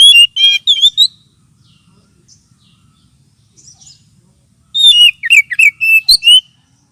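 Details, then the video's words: Oriental magpie-robin lure call, also played as therapy for birds lacking aggression: a loud burst of whistled notes, a long quiet pause with faint high chirps, then another rapid, varied phrase of slurred whistles. "Suara pikat kacer ampuh 100% !!! sudah terbukti"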